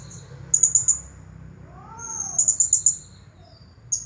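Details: Champion blue-crowned hanging parrot in the nagih hutang singing style, giving very high, shrill pulsed trills of about five quick notes in repeated bursts. A soft, lower arching whistle comes in between, over a low hum.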